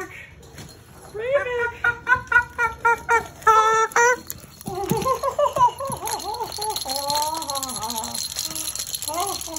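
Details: Moluccan cockatoo kept as a pet, vocalizing at home. A rapid series of short harmonic notes comes about twice a second, then longer, wavering, rising-and-falling tones. Faint speech and room noise sit underneath.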